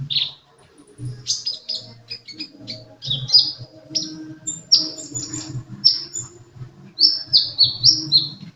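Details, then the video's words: Lively sunbird song: a rapid, uneven stream of high, sharp chips and slurred whistles, several notes per second, ending in a cluster of falling notes, with low humming underneath. "Burung kolibri gacor"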